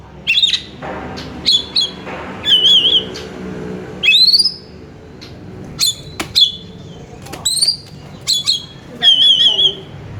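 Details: Oriental magpie-robin song used to lure another bird into singing; separated bursts of high rising whistles and trilled wavering notes, each about half a second long, with brief pauses and faint low background hum.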